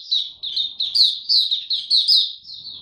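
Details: Maturing male white-eye song from 9 February 2022: short, dense run of high twittering notes, each a quick downward slur, about three per second, bright and close.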